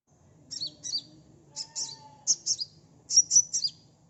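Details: Sunbird singing, used as a lure to get a fast response. Paired high, buzzy chirps repeat in a steady rhythm, with four quick doubles across the stretch and a faint tone in the middle.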